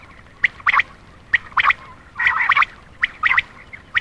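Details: Common quail call used at night to attract males: sharp, liquid three-note phrases, one short note then a quick pair, repeated about every second and a half over faint background hiss.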